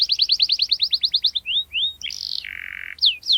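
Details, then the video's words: Canary in sharp rolling song meant to provoke rivals and train young birds: a quick trill of descending whistles, a few rising slurs, then a harsh buzz dropping to a low flat drone, then final whistles. "KENARI Gacor Cuit cuit NGEROL TAJAM Menekan Lawan, Pancingan KENARI PAUD belajar bunyi | Canary bird"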